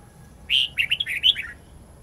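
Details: Red-whiskered bulbul, wild-voice giọng rừng song meant for teaching young birds: one phrase begins with a strong whistled note and rolls into several rapid twisting warbles that descend, over quiet low background noise.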